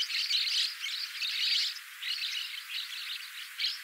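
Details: Black-cheeked lovebird chattering: continuous shrill, twittering bursts in rapid succession, rising and falling in loudness in short phrases with hardly a pause.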